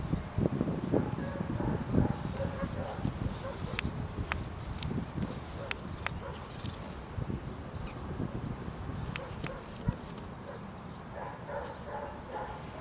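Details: European serin singing in branches at Zamudio, Txorierri, Bizkaia, on 2 June 2019: faint high jingling trills in two bursts, near the start and again later, over steady low rustling and rumbling background noise with scattered clicks.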